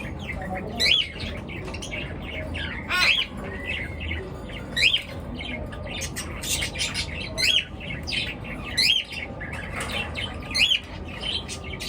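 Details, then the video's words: Morning birdsong of repeated sharp upslurred chirps roughly every one to two seconds, interspersed with softer twitters and a constant low background hum. "পাখির কিচির মিচির ডাকে সকাল বেলার ঘুম ভাঙা"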